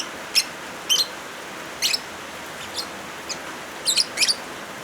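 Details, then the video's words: Lovebird chirps over heavy rain, intended to train birds that have gone silent: sparse, thin high squeaks spaced about a second apart, ending with a few quicker paired chirps. "Suara Original Lovebirds kombinasi suara hujan"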